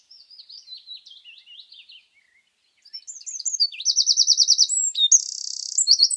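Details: A Eurasian wren sings in mixed woodland in Scotland; quieter thin high warbling notes precede a brief pause, then a loud, fast trilling phrase with a sustained buzzy reel.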